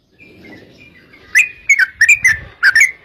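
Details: Yellow-vented bulbul song used as a lure to get other bulbuls singing: faint thin whistles at first, then from mid-clip a run of loud, bubbly, liquid notes in quick bursts.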